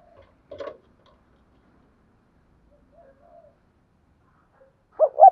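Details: Spotted dove cooing in the Vietnamese 'double' style with two ending notes, used to stir decoy doves into cooing; a soft faint coo midway, then two low, strong rounded coo notes close together at the end, after an early brief sharp note.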